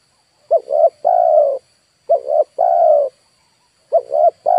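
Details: Decoy spotted dove for luring wild birds repeating its three-part coo: a short double note and a long level note, three phrases in all, the last cut off, with a faint high background tone.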